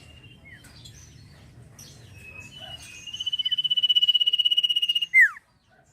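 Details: Sirpu (velvet-fronted nuthatch) in a ngetir trilling song, used to train other songbirds. Soft high twitters give way to a rapid steady trill of about four notes a second, ending in a loud downward-slurred note.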